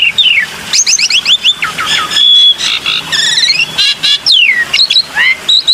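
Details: Black-winged myna producing a dense stream of varied whistles, steep downslurs, quick trilled notes and squawky chatter, delivered loudly and almost continuously.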